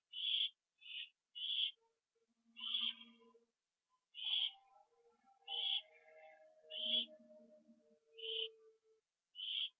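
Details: Owl calling at a nest at 7:39 PM on September 24, 2011, when food was brought and eaten on the roof; short harsh hissing bursts repeated over ten seconds, with faint lower tonal murmurs and scraping underneath.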